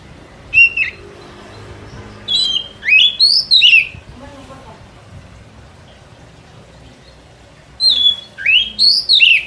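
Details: White-rumped shama song meant to lure birds in the forest, given in two bursts of four or five loud upslurred and looping whistles separated by a quiet pause of several seconds.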